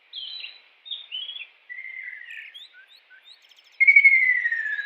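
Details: High buzzy notes and a wavering mid-pitched twitter from a wild kingfisher, ending in a loud, fast trill that falls steadily in pitch.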